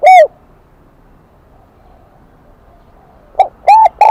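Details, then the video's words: Wild-caught spotted dove singing in the high 'kim đồng' (bell) voice style: one short arched coo, a long quiet pause, then three quick clear coos near the end. "Tiếng chim cu gáy giọng KIM ĐỒNG bổi nghe rất nhạy"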